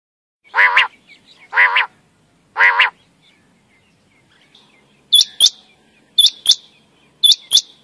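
A male common quail gives three low, nasal, growling notes, then sharp, high, clipped whistles in quick pairs about once a second.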